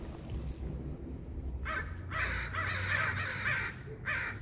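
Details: A group of crows eating peanuts, giving harsh broadband caws in a burst of several rapid notes after a quiet start, with a last caw near the end; low background rumble throughout.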